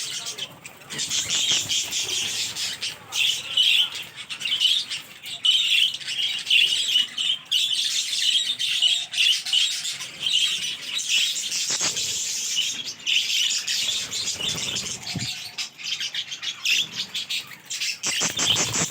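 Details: Captive budgerigar breeding colony, 21 April 2023: many budgerigars chatter together in a dense, continuous warble of high chirps and squawks.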